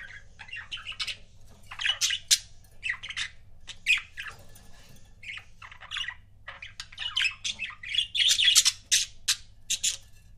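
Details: Pet budgerigar pairs in lively chatter: rapid, loud runs of squeaky, grating chirps and warbling notes, several per second, rising in intensity toward the end.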